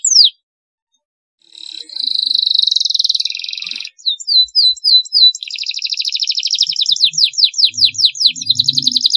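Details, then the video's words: Canary training song for young birds, long-duration: a high descending whistle, a pause, a dense buzzy trill, short chirps, then rhythmic sweeping whistled notes, with faint low thumps. "masteran kenari durasi panjang, masteran kenari paud agar cepat gacor"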